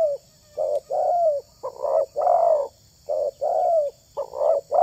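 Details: Tekukur, known in English as spotted dove, in a clip about luring wild doves: quick succession of drawn-out, soft coos, some slightly sliding downward, nearly a phrase per second.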